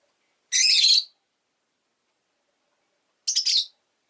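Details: Two loud, harsh, rasping high chirps from a pet rosy-faced lovebird, about half a second each and nearly three seconds apart, in silence otherwise.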